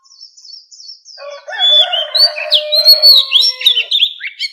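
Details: Oriental magpie-robin wild-type song, used for voice training of captive fighting birds: loud clear whistles sliding up and down, with short high chips, over a lower, drawn-out, harmonic sound.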